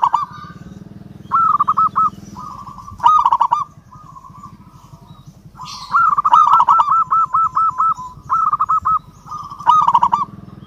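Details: Local zebra dove singing with emotion toward a rival: several bursts of fast arched coos spread across the recording, with a level humming tone and low pulsing noise between phrases.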